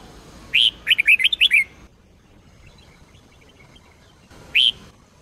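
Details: Sông Kôn style song of a red-whiskered bulbul used for training. One fast phrase of slurred, bubbly whistles, then a pause, then a single sharp chirp near the end.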